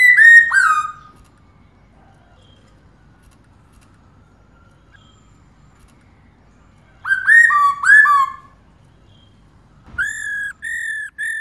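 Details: A female black-throated laughingthrush repeats her calls to stimulate males: short clusters of two or three rich whistles bending downward, spaced by several seconds of silence, ending with two level notes and a faint knock.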